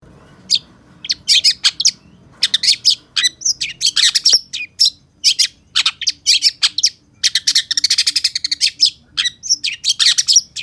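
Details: Long-tailed shrike singing a lively, full song: a rapid, unbroken run of sharp chirps, buzzy notes and fast trills that crowd together toward the end, with no other clear sounds.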